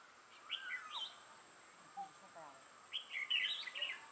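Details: Red-whiskered bulbul singing during a trapping session, recorded 6 November 2018: short bursts of bright, warbled whistled phrases with rising and falling notes, two groups separated by a pause, faint human voice nearby.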